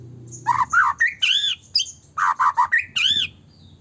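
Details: Vigorously singing white-rumped shama used as a lure to make other shamas sing and get agitated: loud, separate phrases mixing harsh squawky notes with rising whistles, gaps between bursts, a low hum at the start.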